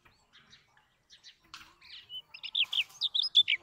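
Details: Brown rock chat, also called Indian chat, with soft scattered chirps building into louder, clear whistled notes repeated rapidly, almost two per second, over a quiet background.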